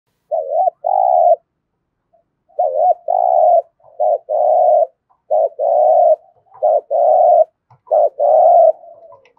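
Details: Spotted dove used as a decoy to lure wild doves, cooing in the 'thúc gù' style: repeated phrases of a short wavering double note followed by a long, steady, low hooting coo, about seven phrases in a quiet setting.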